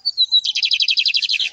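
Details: Lined Seedeater, called bigodinho, sings perched on a hand, giving a thin high whistle that slides downward, then a rapid rattling trill of around sixteen buzzy notes that drops slightly in pitch at the end.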